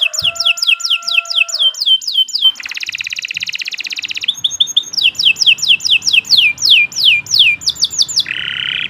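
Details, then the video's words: Canary singing long tutor song: series of rapid downslurred notes, a dense buzzing roll, more sweeping notes and a low nasal ending, over faint background noise. "Kicau Burung Kenari II GACOR PANJANG Cocok untuk Masteran"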